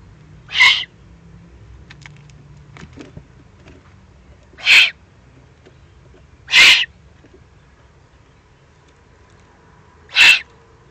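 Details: Four rasping hissed begging calls spaced two to four seconds apart from excited juvenile Eurasian eagle-owls, Eifel, Germany, 21 June 2020, with faint clicks and rustles in between.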